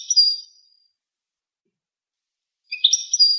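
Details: Goldfinch delivering thin, high, trilled phrases: one fading at the start, then a fresh buzzy twitter after a silence of about two seconds; no background noise.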